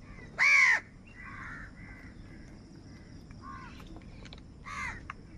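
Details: A loud, rasping caw opens the recording of crows fighting for food. Softer, drawn-out caws follow, and another harsh caw comes near the end, over a thin, steady background hum.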